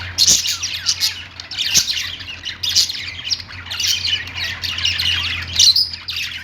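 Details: Pet budgerigars, Australian parakeets kept at home, chattering in dense high chirps and squeaky warbles, several birds overlapping continuously, with a low steady hum underneath.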